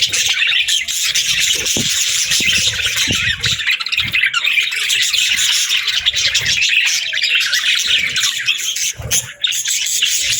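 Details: Budgerigars chatter nonstop, a thick layer of high twittering and warbling with short chirps, plus a couple of sharp clicks near the end.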